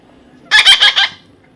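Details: A talking parrot gives one quick run of four raspy, chattering syllables lasting about half a second, set against a quiet background.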